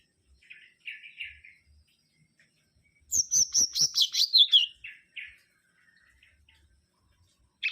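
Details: Mangrove whistler with soft low chattering notes, then a fast, rich warbled run descending in pitch over about two seconds, followed by quieter twitters.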